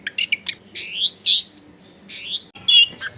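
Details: Long-tailed shrike tutor song meant to prompt a silent caged bird to sing: harsh, buzzy rasping phrases alternating with short chirps, loud grating bursts around a second apart, ending in a squeaky whistled flourish.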